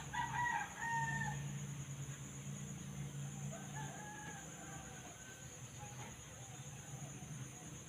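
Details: Unidentified bird whose voice is likened to a chimpanzee's: a loud harmonic hooting phrase held about a second, then a series of softer, falling, slurred notes, over steady insect buzz and low rumbling background noise.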